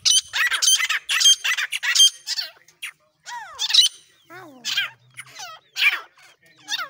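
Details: Partridge calling: rapid, loud, grating bursts at first, then separated squeaky notes that slide sharply downward, spaced unevenly.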